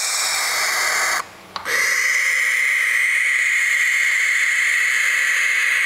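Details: Baby barn owls giving a loud, breathy, sustained hiss with a bright tonal edge, held almost without a break, interrupted once by a short silent gap of about half a second before the hissing resumes.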